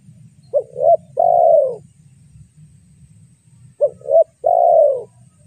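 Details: Spotted dove, used as a lure bird for trapping, giving two cooing phrases about three seconds apart, each a pair of short rising-falling notes followed by a longer drawn-out descending coo; low rumbling noise underneath throughout.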